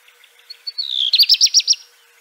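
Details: A short black redstart phrase: a few faint high notes lead into a run of five bright, sharp chirps in quick succession.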